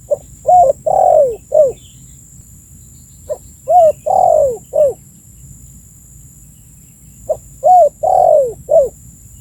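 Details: Spotted dove calling, recorded for use as a lure to attract birds. Three phrases of four soft cooing notes each, roughly every three and a half seconds, with a long descending coo in each phrase and a faint steady high hum.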